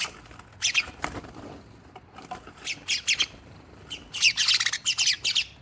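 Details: Sparrows in a noisy drama at a cat house give harsh, broadband squawks and chattering chirps in irregular bursts, building to a loud, dense rush of overlapping calls in the second half.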